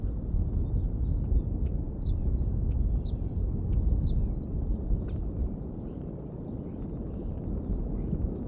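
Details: Bald eagle at the Decorah nest in late April, late morning, with an adult returning to feed duck to the young: three high, sharply falling chirps about a second apart over a steady low rumble of wind.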